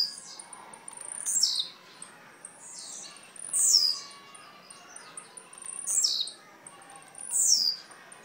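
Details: Young blue-black grassquit from Jacarepaguá, Rio de Janeiro, singing short, high, buzzy notes that sweep downward. Each note lasts under a second and comes about every one and a half seconds, over quiet background hiss.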